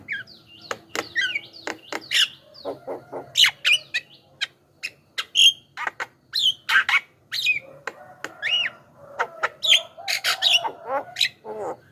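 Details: Javan myna song for luring wild birds: busy mix of harsh squawks, sharp clicks, rising and falling whistles and chattering notes, irregularly spaced, with a faint low hum beneath.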